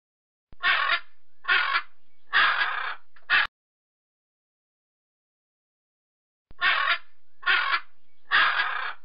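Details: A parrot talking: four harsh, buzzy, speech-like syllables about a second apart, then a few seconds of silence, then three more similar rasping syllables; no other sounds.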